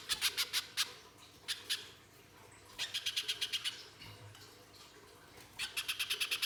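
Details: A little spiderhunter (pijantung pisang) in full gacor song, a lure for other spiderhunters: short bursts of rough, buzzy chips separated by quiet gaps, each burst of four to eight quick notes.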